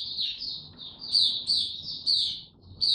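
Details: White-eye given no supplements, dated 29 April 2022, delivering a steady stream of thin, high, jumbled twittering with quick sharp accents over faint low hum.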